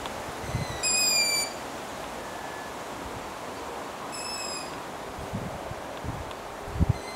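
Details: Long-eared owl owlets in Latvia on 6 July 2018: two loud, thin, squeaky drawn-out shrieks about three seconds apart, a fainter third near the end, over steady rushing background noise with low thumps.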